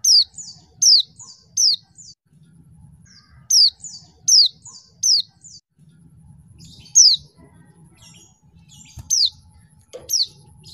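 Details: A female white-eye, used as a lure to rouse lazy-singing males into excited calling, gives thin, high, down-slurred chirps in quick runs of three or four, with a pause between runs, over a low background hum.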